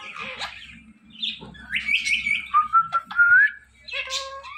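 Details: Pet ringneck parakeets talking in a compilation: short squawky syllables followed by clear tonal whistled notes rising and bending, with a brief harsh chirp near the end and a word like 'mitthu' spoken nearby.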